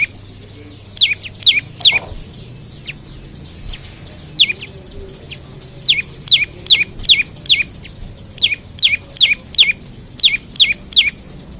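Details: Olive-backed tailorbird giving a morning lure call to get other tailorbirds singing: long series of loud, sharp, steeply sweeping chirps, delivered in rapid runs of several notes about three per second with short breaks.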